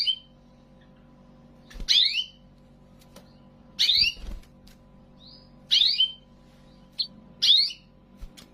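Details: A Belgian canary in song training gives short, bright bursts of rapid chirps and trills, high-pitched, about every two seconds, with a faint indoor hum behind.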